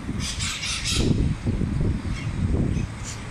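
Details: Parrots in a flock flying over a city park in Ate, Lima, Peru, late August: loud rasping screeches packed into the first second, then fainter calls amid low urban rumble.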